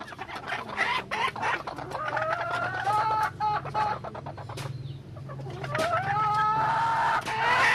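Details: Junglefowl hen calling: a run of short clucks followed by drawn-out, slightly rising harmonic notes that repeat in short bouts, over a steady low hum.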